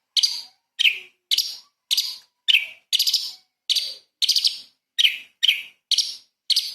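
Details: Light-vented bulbul in full 'tembakan' singing, used as a training model for magpie-robins. About a dozen bright, harsh chirps repeat at a steady pace, some doubled or tripled.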